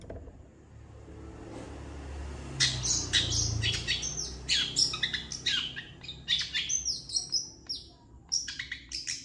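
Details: Long-tailed shrike master song for training other birds. Quiet at first, then from about two and a half seconds a fast, varied run of scratchy notes and thin whistles, roughly four per second.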